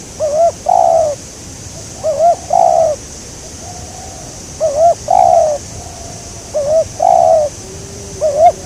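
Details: Spotted dove during a bird-trapping session with a decoy; paired low coos repeated about every two seconds, each a short wavering note followed by a longer, steady, slightly falling hoarse coo, over a constant high hiss.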